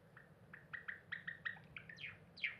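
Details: Cinnamon Java sparrow kept as a pet sings at a window, recorded 7 April 2021: rapid, evenly spaced bell-like ticks about five per second, ending with two louder, falling whistled notes; low background hum.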